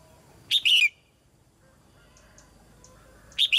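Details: Red-whiskered bulbul female singing in a cage to prompt young birds to sing more; a quick bright whistled phrase of several descending notes, then a similar phrase beginning at the end, faint high chirps between.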